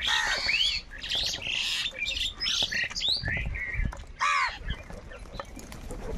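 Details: A noisy crowd of squawking birds gives scratchy, overlapping calls, with a clearer harsh crow caw standing out near the end, amid crows fighting for food.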